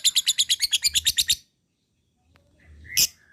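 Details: Lovebird chattering: about a dozen rapid, harsh, high notes in a quick burst, then silence, ending with a single sharp squawk.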